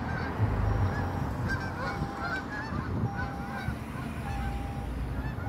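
Geese honk in flight, with a quick, uneven run of nasal calls, several birds overlapping, over a steady low rumble of wind or traffic.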